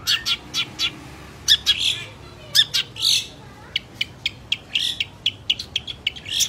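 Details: Long-tailed shrike singing energetically: a rapid series of short, harsh, buzzy chirps, some doubled and clustered. The notes come at uneven intervals over a faint, steady background hum.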